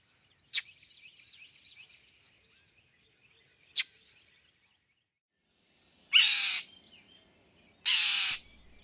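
Northern Mockingbird giving two sharp, dry chck notes about three seconds apart, then two longer harsh, nasal chair calls; faint twittering of other birds behind.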